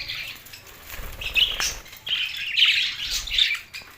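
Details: Budgerigars, Larkana, Sindh, June 7, 2024: softer twittering opens, then louder squeaky, warbled notes and chirps follow in two main bursts.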